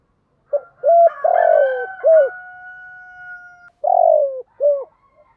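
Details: Spotted dove lure coo meant to excite decoy doves: a short note, a clear coo, a long rough falling coo and another clear coo, while a steady whistled tone holds beneath, then a further rough coo and closing note.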